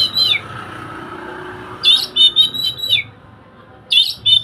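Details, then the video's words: Oriental magpie-robin singing, meant as training song for a bird that does not sing: a quick whistled note, then a burst of rich warbled and scratchy phrases, a pause, and another short warbled burst. "Kacer on cocok buat masteran burung bisu"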